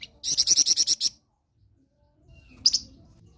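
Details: Flamboyan bird in full song, used as a tutor for other songbirds: a quick burst of about eight sharp, high, evenly spaced notes, then silence and a short two-note phrase.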